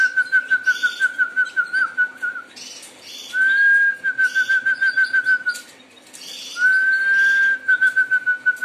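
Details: A Harz Roller canary delivers three rolling phrases. Each starts as a smooth held roll and turns into quick, regular beaded pulses at a steady low pitch, with brief silences between phrases. Faint higher twitters from other birds are mixed in.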